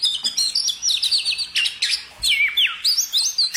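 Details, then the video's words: High sweet bird song made of quick repeated whistled notes that zigzag up and down, with a few deeper slurred swoops midway. "kicau burung"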